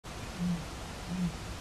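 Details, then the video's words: Eurasian bittern booming: two short, deep, low hoots roughly 0.7 seconds apart, rising out of a steady hiss of background noise. "Roerdomp geluid, booming bittern"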